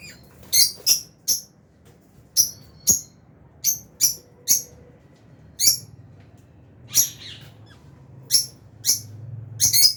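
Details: Lovebirds, albino and Fisher's, kept in an aviary, chirping: a series of short, sharp, high-pitched chirps repeated irregularly, roughly one to two per second, with quiet gaps between them and faint low background hum.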